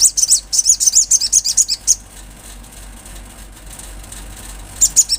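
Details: Vigorous olive-backed sunbird song: a rapid series of very high, sharp, thin notes for about two seconds, then quiet hum, and a brief renewed burst of chips at the end.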